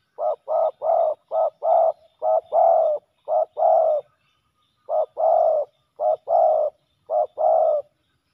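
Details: Males of the spotted dove fighting on the ground by a decoy; a rapid string of coo pairs, a short note then a longer croo, about one pair per second, nothing else audible.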